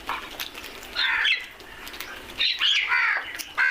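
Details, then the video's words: Crows making noise, with a few short, harsh squawking calls in two clustered bursts separated by quieter gaps, followed by another call starting right at the end. "Crows are crowing and making noise"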